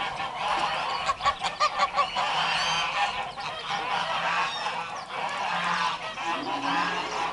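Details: A flock of domestic geese on a goose farm in Lök village, Yozgat, Turkey, honks in loud nasal calls overlapping in a busy chorus, with a burst of rapid honks early on.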